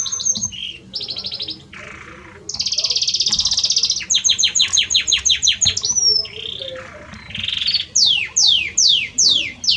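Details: Singing male Belgian canary courting a female: rapid ticking trills, a long buzzy roll, quick rising whistle, then a series of loud descending sweeps near the end.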